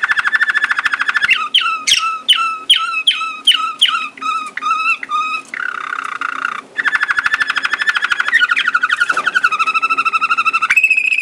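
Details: Waterslager (Malinois) canary singing in Sakarya, 2011, indoors: a rich flowing roll, then a run of evenly spaced, ringing bell-like notes with a bubbling water-like quality, followed by buzzy trills and a long sustained rolling tour.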